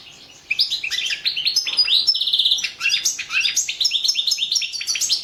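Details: European goldfinch song entered in the 2017 World Championship in Goldfinch Song: a loud, continuous, rapid stream of high tinkling twitters, sharp chirps and brief buzzy trills, almost without pause, in a quiet room.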